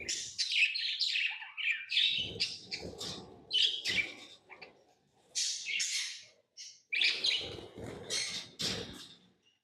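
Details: Pet lovebirds chirping in bursts of high, shrill, scratchy notes, several calls close together then short pauses, with faint low thumps from handling or movement underneath.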